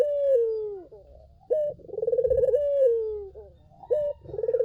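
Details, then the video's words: Lure song of a collared dove meant to make other doves answer. Drawn-out descending coos alternate with short emphatic opening notes and rolling, vibrating phrases, repeated about every two and a half seconds. "SUARA BURUNG PUTER GACOR! 100% pancingan ampuh,puter kamu pasti katut"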